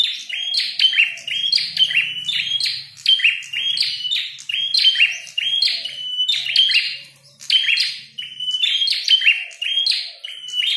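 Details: Red-headed prinia in combat song: a long run of rapid phrases, each a flat high whistle with buzzy, crackling ends, repeated closely for over ten seconds. A faint low hum sits underneath.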